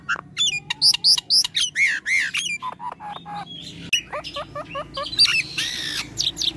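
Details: Nias hill myna in full, actively singing form: a fast run of loud, clear whistles, some rising and some sharply falling, repeated in short bursts, then lower mellow notes and a few harsh, broad squawks near the end.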